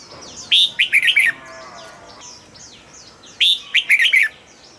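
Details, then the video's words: Caged red-whiskered bulbul sings two quick bursts, each a run of five or six bright, clipped whistled notes wavering up and down, about three seconds apart; faint thin chirps from other birds fill the gaps. "นกปรอดหัวจุก นกปรอดหัวจุก เสียงนกกรงหัวจุก"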